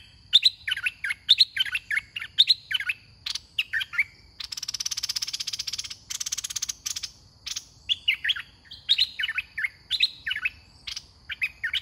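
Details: Red-whiskered bulbul, caged and singing as a decoy during a trapping contest. It repeats rapid liquid warbled phrases almost continuously. A loud rustling, hissing noise interrupts the middle, then the lively chattering resumes.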